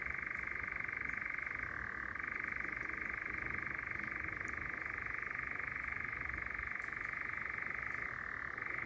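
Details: European Nightjars churring at night in Sherwood Forest, England, at the top of a forest section, one bird very close. A continuous dry, mechanical churr runs unbroken throughout, dropping slightly in pitch briefly near two seconds and again near eight seconds.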